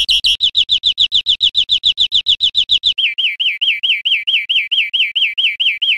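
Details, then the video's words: Song of a European Greenfinch from Spain, 2013, opening with a quick run of clipped high notes that gives way after three seconds to a slower series of rolling, arched whistles, about two per second. "Canto de Verderón 2013 / España"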